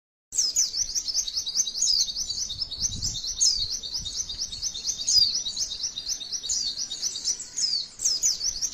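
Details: A white-eye, presented as a female, sings a long, continuous high-pitched stream of rapid twittering notes with fast slurred trills, scarcely pausing; used as a tutor song to provoke other white-eyes into singing.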